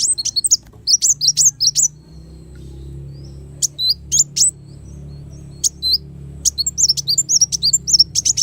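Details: Brown-throated sunbird (kolibri wulung) master song for training songbirds: phrases of rapid, high, tinkling chirps separated by brief pauses, with a soft low hum beneath.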